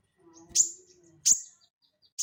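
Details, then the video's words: Sharp high single notes from a crested jay (sogon), recorded as training audio for cage birds, separated by short gaps over a faint low steady hum. "SOGON GACOR NGELEPER UNTUK PANCINGAN BUNYI ATAU MASTERAN"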